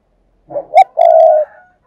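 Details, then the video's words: Spotted dove luring coo, 'thúc gù' style: low grunting lead-in, a sharp hoot, then a long smooth coo trailing into a soft, slightly higher fading note, in an otherwise quiet setting. "cu gáy mồi cây thúc gù"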